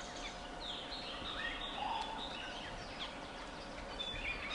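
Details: White-crested laughingthrush flock in full chorus, many birds cackling and chattering at once with quick repeated notes, squeaky whistles and low chuckles, all overlapping against background hiss.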